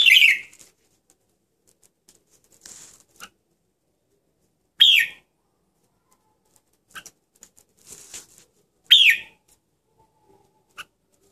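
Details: Red-whiskered bulbul giving short, bright downslurred chirps, one about every four seconds, with faint soft clicks and ticks in the quiet gaps between them.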